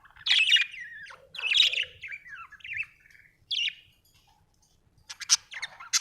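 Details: Budgerigar chirping with warbled, sliding whistled phrases that fall in pitch, a few separate chirps, then sharp clicky notes near the end.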